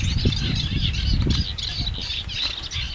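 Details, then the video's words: Eurasian reed warbler singing among the reeds of a lagoon in Spain, a scratchy, chattering song of quick repeated notes, half masked by a steady low rumble of wind. "el Carricero Común canta entre el carrizo"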